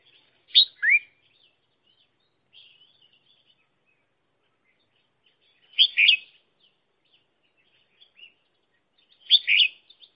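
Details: Red-whiskered bulbul kept as a trapping decoy, calling three times over ten seconds with short paired chirps and a descending slur, soft twitters between.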